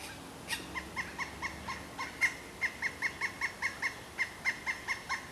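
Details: Pileated woodpecker calling in a sustained run of bright, repeated kuk notes about three per second, with one sharp clap-like burst early and another midway.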